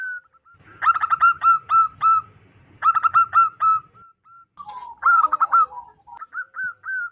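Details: Loud local wild zebra dove, its call used to lure wild birds: two bursts of quick, harmonically rich staccato notes that ease into longer evenly spaced coos, ending in a short rising phrase.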